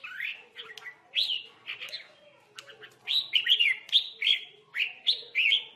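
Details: Red-whiskered bulbul used as a decoy in a singing fight: short warbled phrases, then quick chirpy notes repeated about three per second, with a faint low hum.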